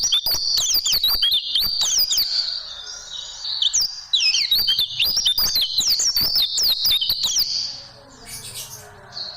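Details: Oriental white-eye song for training caged birds: dense, high-pitched twittering with rapid descending and rising whistles for about seven seconds, then fading to a softer background.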